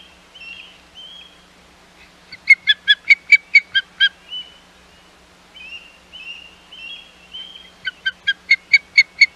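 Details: Ospreys at the Hog Island nest on 11 May 2021, with intruding ospreys present: slurred whistled notes alternate with bursts of rapid, evenly spaced high chirps, about eight to ten per burst, two such bursts in all.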